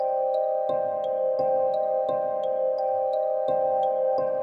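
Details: Mallet-percussion music of bright marimba-like notes over a sustained drone, with no animal sounds.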